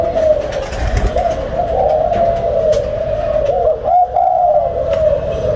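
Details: Spotted doves kept as a caged breeding pair, labelled numbers 11 and 04: low, droning coos hold one pitch nearly throughout, broken once by a short pause, with some indoor background noise.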